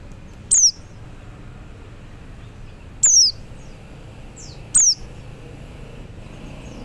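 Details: Oriental white-eye male calling other white-eyes with three brief, piercing high notes, each sliding sharply downward, separated by irregular pauses of two to three seconds; faint low rumble underneath.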